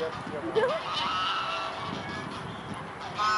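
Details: Mute swans recorded at the Blaues Wunder in Dresden, 14 October 2017, 14:00; a wavering rising call opens, followed by softer nasal notes and a louder honk at the close, amid background noise.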